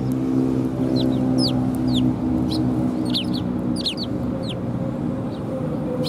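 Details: Sparrows arriving to be fed, Tenmangu shrine, 18 December 2020: clear, sharp downslurred chirps come in lively bursts, several close together, with a humming low drone underneath.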